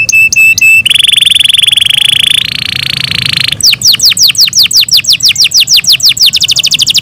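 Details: Morning song of a kept canary: a few sharp notes, then long buzzy sustained tones, followed by rapid repeated falling sweeps and a quick high trill.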